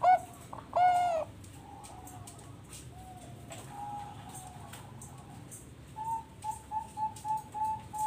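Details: Bangkok-type zebra dove, bred on a bird farm in Bekasi, West Java, Indonesia, singing as a lure to prompt other doves to sing: two loud low cooing notes open, then faint soft coos and a closing run of six short repeated coos.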